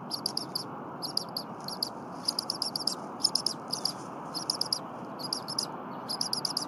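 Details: Young bald eagle, recently fed and with a stuffed crop, calling insistently in the Berry College nest on a January morning as the adult defurs stiff leftover prey. Sharp high chirps, clustered in rapid groups of two to five, repeat steadily.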